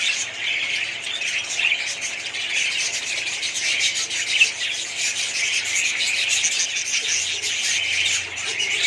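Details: Many budgerigars in a colony producing a harsh, scratchy chorus of high squeaks and chirps, continuous and crowded, with faint low hum beneath.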